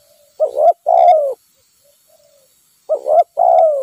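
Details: Wild spotted dove, the quarry of decoy trapping, gives soft low coo phrases. Each is a quick pair of notes followed by a long, gently falling coo, heard twice with a pause between.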